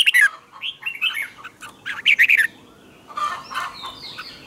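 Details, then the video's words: Red-whiskered bulbul singing its morning training song in the 'double twisted' style: several loud, looping warbled phrases separated by short pauses, with softer chirps trailing after. "luyện chào mào hót sáng hay nhất 2020, Âm kép xoắn căng, cách luyện chào mào hót căng lửa"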